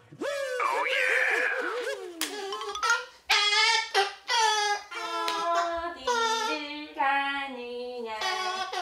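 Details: Umbrella cockatoo, an 8-year-old male, greeting strangers in an alley at night by saying a mimicked "hello" again and again in a clear, voice-like tone, a quick string of rising and falling syllables.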